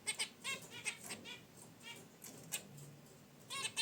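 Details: Caged zebra finches relaxing by their wicker basket nest, giving short nasal honking calls with stacked harmonics, in quick clusters and scattered singles, with soft rustling between.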